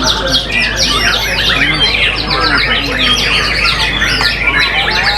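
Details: White-rumped shama (murai batu), a competition bird with strong character and very loud, powerful song, pouring out a dense, rapid stream of sweeping whistles, trills and chattering notes without pause.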